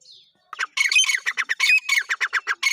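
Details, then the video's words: Black francolin call meant to draw francolins in quickly and excite them: a rapid run of harsh, squawking, grating notes, closely spaced and evenly pulsed, following a brief faint higher note at the start. "Teetar ko Jaldi bulani aur Masti men lane wali Awaz تیتر کو جلدی بلانے اور مستی میں لانے والی آواز"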